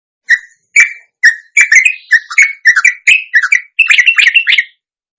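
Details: Sooty-headed bulbul (trucuk) in a long ropelan song from Indonesia, meant as a lure to make other trucuk answer and sing: a string of short, liquid, bubbly notes, a few per second, quickening into a denser burst near the end.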